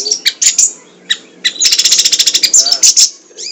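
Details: Sunda pygmy woodpecker, a long training recording meant to stimulate other birds. High, sharp chirps come in short bursts, then a fast, even series of thin ticking notes and a shrill trill near the end.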